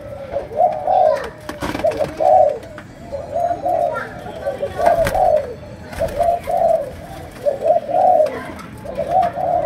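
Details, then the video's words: Malaysian spotted dove repeating low, soft coo phrases roughly every second or two in chiêu gù, sấm đồng style, each phrase a short cluster of hooting notes, with sharp clicks and knocks in the background. "Cu Gáy Malaysia, Chiêu Gù. Sấm Đồng"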